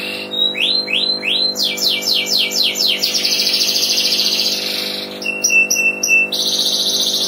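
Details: Canary singing vigorously in a loud, rich song: fast rising sweeps repeated in quick series, then a long buzzy rolling trill, followed by sharp high chipping notes and a bright sustained warble, with a steady electrical hum underneath.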